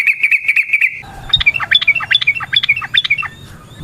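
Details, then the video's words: Yellow-vented bulbul in a quick varied song meant to spur other bulbuls: a short fast series of even whistled notes, then a jumbled run of sharp up-and-down notes over faint background rumble. "Suara Burung TRUCUKAN gacor ROPEL VARIASI NROTOK NGECUPLIK pancingan trucukan agar JADI trucuk GACOR"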